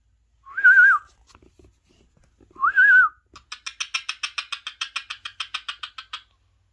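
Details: Two wavering whistled notes from a pet parrot watching parrot videos on a mobile phone indoors, followed by a long run of quick, regular buzzy clicks lasting about three seconds.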